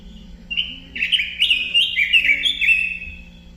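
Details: Rapid, rambling warble from a robin: bright whistled notes rising and falling in quick succession for about two and a half seconds, over a soft steady hum.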